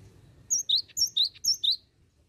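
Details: Cinereous tit lure song: three clear two-note phrases, each a high sharp note dropping to a lower rising whistle, evenly spaced about half a second apart, then silence.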